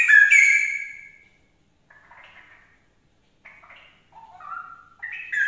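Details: Straw-headed bulbul singing so that another bird will answer: a loud bright whistled note fades away, faint chattering follows, then soft rising whistles lead into a louder phrase at the end.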